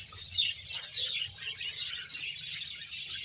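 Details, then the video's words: Budgerigars from a colony of about 100 pairs in Bahawalpur, chattering in a dense mix of quick high chirps and squeaky warbles, with a faint low rumble beneath. "budges sound"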